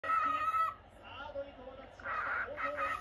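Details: Pet normal lutino cockatiel kept indoors, giving a harmonic call that holds steady in the first half second, then a run of shorter, bright, slightly wavering notes after a quiet pause.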